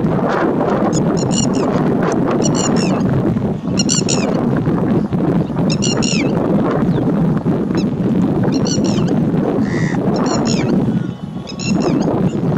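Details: Courting lesser flamingos in a massed group dance: a steady rumble of many low honks, broken by clusters of higher, nasal, stacked honking notes every second or so across the recording.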